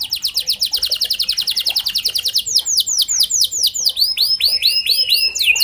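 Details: Lure recording of a canary to get other canaries singing: a fast steady run of sweeping high notes, then slower looping whistles and hooked chirps repeated in quick sequence.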